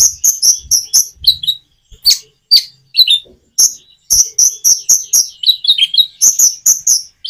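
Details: Common iora song with natural pauses intended to prompt silent birds to respond; fast, evenly spaced high chirps, about two a second, with occasional lower slurred notes.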